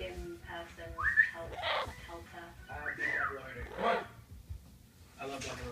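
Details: A pet double-yellow-headed amazon gives loud rising whistles mixed with throaty, speech-like chatter, calling out for attention in a quiet room; a voice repeats "mamá" just before.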